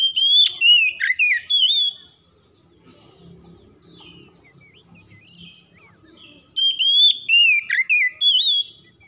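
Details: Oriental magpie-robin giving two bursts of rich, warbling whistles with quick chips, separated by a quiet stretch of faint soft rustling.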